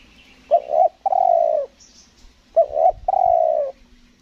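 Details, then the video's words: Decoy spotted dove from Lombok, Indonesia, used for luring wild doves, in 'selang nguku gagap' song style. Two phrases, each a quick stammering double coo then a drawn-out, slightly falling coo, with a faint high chirp between them. "PIKAT TEKUKUR SELANG NGUKU GAGAP"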